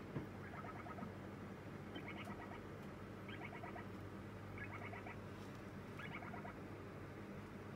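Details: Young lineolated parakeet, two days after arriving at its new home, begging during feeding with rapid stuttering 'pi-po-po' bursts, each a run of quick pulses, coming every second or so above a constant low drone.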